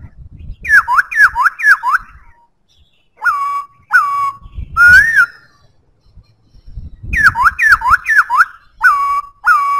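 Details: Black-throated laughingthrush in full song: runs of rapid, looping down-slurred whistles, level whistled notes with a drawn-out tail, and a loud rising-falling whistle, the phrases repeating after brief gaps over soft low rumble.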